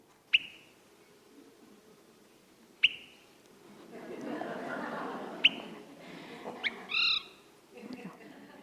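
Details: Swainson's Thrush giving three sharp, liquid 'whit' or 'quip' calls about two and a half seconds apart, used to learn who else is in its territory, over a soft murmur of background noise and a brief squeak.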